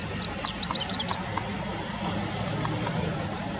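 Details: Japanese wagtail by a riverside, late August 2020; a brief cluster of high, sharp chirps at the start, followed by steady road and engine rumble with a few clicks.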